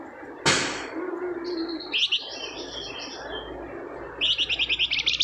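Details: Singing flamboyan used to trigger another to respond: a sharp knock at the start, a soft low whistle, thin high whistled notes, then a fast run of bright chirped trills.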